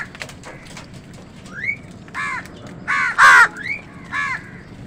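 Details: Crows contesting food with wild birds: a rising whistled note followed by a run of harsh, nasal caws, the loudest near the middle, then another rising note and a final caw.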